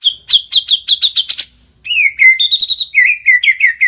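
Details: Murai batu, the white-rumped shama, in lively gacor song: a fast series of about seven bright, evenly spaced high notes, a short pause, then rapid chattering whistled notes that step between two pitches.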